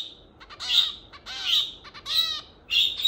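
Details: Pet zebra finch six months after arriving home, giving loud, harsh, nasal calls. Short clipped notes mix with squeaky, downward-slurred beeps in an irregular series.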